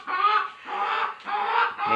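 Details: Domestic hen singing in a backyard flock while another hen broods; loud drawn-out cackling phrases, three long strained squawks in quick succession.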